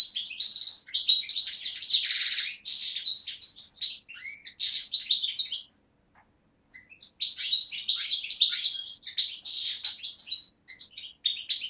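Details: Parva goldfinch from Beni Snassen, Morocco–Algeria border, a young bird of 2011 recorded on 8 January 2012: two long phrases of dense, rapid twittering with tinkling and rasping trills, separated by a short silence.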